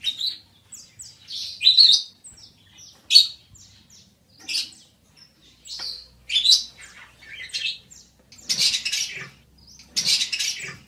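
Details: Budgerigar, a small long-tailed seed-eating parrot, chattering in a busy warble of short squeaky chirps, clicks and buzzy notes in quick irregular bursts, with louder harsh chatters toward the end.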